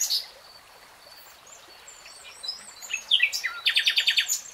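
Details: Common nightingale song over a hissing background with faint, scattered high chirps. A loud varied phrase starts near the end and runs into a fast series of repeated clipped notes.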